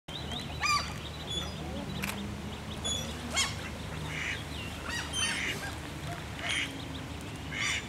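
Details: Common goldeneye ducklings at the Tampere Arboretum, Finland. Thin, high peeps rise and fall and are scattered through the recording. A steady low rumble of background noise runs throughout, with occasional sharp clicks.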